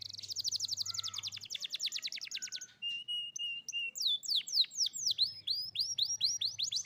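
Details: Atlantic canary song played to make a young canary that stopped singing start again: a long rapid trill of descending notes, a sustained whistled tone, then loud rising-falling whistled sweeps repeated about three per second.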